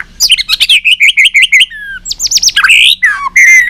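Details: White-rumped shama in full competitive song, trained to sing long forest-style phrases: a rapid run of crisp repeated notes, a falling whistle, a burst of sweeping upslurs, then rich warbled whistles.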